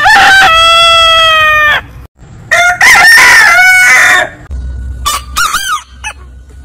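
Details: Domestic rooster giving a long, level, strongly harmonic crow, then a second, rougher crow. Short clipped fragments of crowing close the clip.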